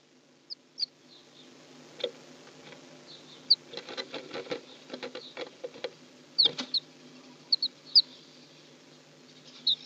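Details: Inside a nest shared by house sparrows, brief high chirps come now singly, now in quick pairs, over a busy background of scratching, tapping and shuffling as the birds move about.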